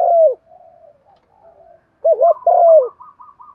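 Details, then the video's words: Spotted dove, Thổ voice, calling coo used to entice birds: the tail of a falling coo, a gap with soft murmurs, then a full phrase of twin wavering notes and a long sinking coo, faint higher chirps after. "tiếng cu gáy mồi chuẩn gáy gọi dùng kích bổi vang cả buôn làng"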